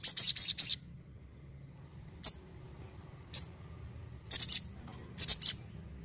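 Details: Crimson sunbird gives a quick burst of three high chips, followed by widely spaced single sharp notes and a closing double chirp against quiet background.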